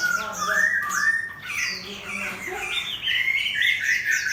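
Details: Caged Chinese hwamei competition bird singing beside a fighting bird with its tail spread open: loud, varied run of whistled, slurred phrases rising and falling, some rough notes mixed in, continuous throughout.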